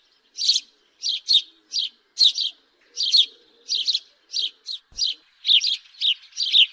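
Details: Busy house sparrow chirping, doubled notes following quickly one after another, with faint soft background sounds.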